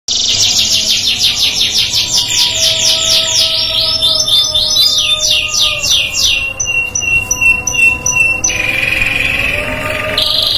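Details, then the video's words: A canary sings a loud, rapid series of high trills and rolling tours, shifting pitch every second or two, with faint chiming tones underneath; other canaries are said to respond within seconds. "KENARI LAIN RESPON | CANARY SINGING"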